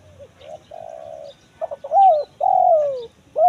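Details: Spotted dove used as a lure for wild birds in the forest, style called kuk 1 mersik: low hollow coos, a short note, a steady held coo, then a rising coo and a long falling one, with faint chirps from other birds.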